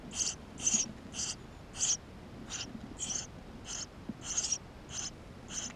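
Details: Nestling Eurasian tree sparrows inside a nest, captured on a GoPro, keep up a busy run of about a dozen high squeaky chirps, uneven in timing and loudness, some in quick pairs.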